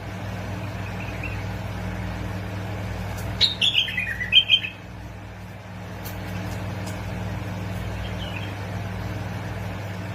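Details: A bulbul from Basra and Fao, the recording aimed at making bulbuls sing, gives a single short flourish of sweet, descending whistled notes. Otherwise only a steady low mechanical hum and faint distant chirps.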